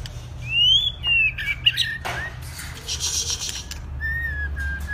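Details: Two-season white-rumped shama in song training gives bright, high whistled phrases, rising and sweeping, with a short burst of noisy sound mid-phrase and a low background hum throughout.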